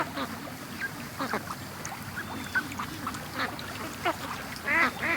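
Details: Ducks rushing from their pen to the lake one morning after an hour's delay; repeated nasal quacks come in loose bursts, ending in a louder, strained multi-note quack, with faint outdoor noise behind.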